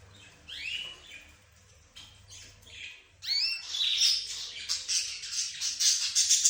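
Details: Budgerigars, zebra finches and canaries chatter in a mixed flock kept together. A few separate upward-sweeping chirps are followed by a loud, dense, continuous high twittering during the second half.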